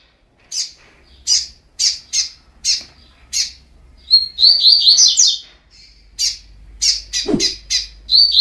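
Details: Training song of a spirited Double-collared seedeater: a series of sharp, high, buzzy notes repeated roughly every half second, breaking into a rapid, rolling, whistled phrase midway, then more spaced notes. A short low swoop sounds near the end.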